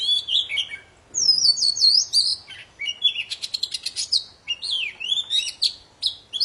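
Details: Energetic poci singing meant to set quiet birds singing again, with bright wavering whistles, a buzzy rapid rattle in the middle, then upward-sweeping slurred notes.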